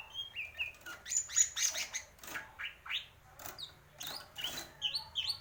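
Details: Greater green leafbird in busy, varied song: rapid clicks and chattering bursts mixed with short high whistles and downward-slurred notes, delivered in quick pulses.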